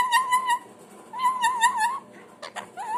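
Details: Parrot kept at home giving clear wavering whistles, two sustained tremolo notes with rich overtones, followed by a couple of clicks and a short rising whistle.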